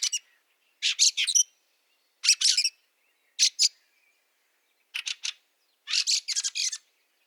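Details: Fieldfare, Liepāja, Latvia, snowy March 2023: rasping chack calls in short bursts of two to six notes, spaced about one second apart, against a silent background.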